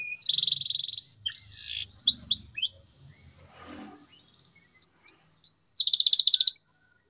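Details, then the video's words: Canary song meant to coax silent canaries back into song: fast buzzy trill, a series of rising whistled notes, a short pause with faint low noise, then more rising whistles and a rapid trill. "CUITAN KENARI 100% GACOR PERANGSANG KENARI BISU AGAR KEMBALI GACOR"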